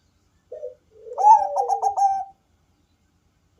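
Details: Bangkok-type zebra dove giving a deep, bass-heavy cooing song meant to lure other doves into calling: a short soft coo, then a rolling, bubbling phrase of several quick pulsed coos, another brief coo following after a pause, in quiet surroundings.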